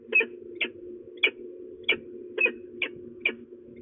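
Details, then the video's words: Threatening female peregrine falcon, De Mortel in the Netherlands, midday on 27 February 2024, gives harsh, grating notes spaced roughly every half second, each sharp and ringing, above a steady low droning hum. "Slechtvalken De Mortel ♀4NL dreigend"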